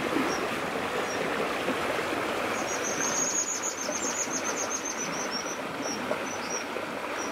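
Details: At a nest in Taganay National Park at the end of May, where adult White-throated dippers carry food to five chicks: a quick burst of thin, high piping notes over the steady rush of river water, with scattered single notes.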